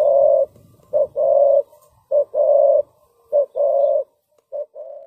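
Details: Lure spotted dove cooing to attract birds into a trap: deep mellow coos in a clear two-part pattern, a clipped note then a long drawn coo, repeated about every second, with faint rustling early on.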